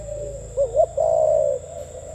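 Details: Single gù tít phrase from a spotted dove: a brief double rising note followed by a long, low, level coo.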